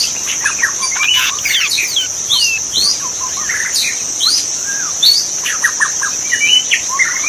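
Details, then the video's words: Wild magpie-robin in forest, used as master song for training birds: lively run of rising and falling whistles, sweeping slurs and sharp chips, fairly continuous, with a constant shrill insect hum behind. "Masteran suara burung murai asli di hutan"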